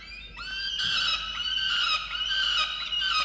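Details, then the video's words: Angry peregrine falcon in a water-tower nest box, Orange, New South Wales, Australia, 8 November 2022, complaining that its mate brought no breakfast; one continuous rasping wail that climbs at the start, then holds steady, broken by faint clicks. "Indigo angry on Dimaond for not bringing breakfast"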